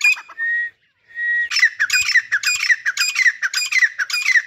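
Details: Two drawn-out level whistles from a pair of grey francolins, known as Dhakni teetar, lead into six loud, scratchy, rhythmic phrases repeated twice a second.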